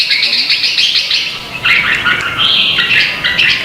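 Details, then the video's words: Red-whiskered bulbul singing competitively in Vietnam, lure audio for training: dense, continuous warbling of high whistled notes, phrases running together with little pause. "Chào mào hót đấu"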